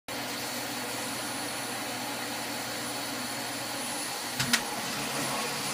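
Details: A constant vacuum-like hiss with a thin high steady tone runs throughout, broken by a short splash-like burst near the end, with no animal voice.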